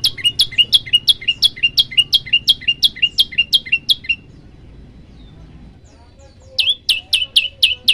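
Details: Male olive-backed tailorbird singing actively, recorded on a Samsung Galaxy M11 phone: a fast run of sharp, high, repeated chip notes for about four seconds, a short pause, then the same rapid series resuming.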